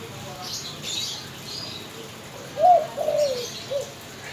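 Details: Spotted dove giving a single cooing phrase: a sharp rising coo, then a drawn-out wavering coo and a short final note. A brief soft rustle comes just before.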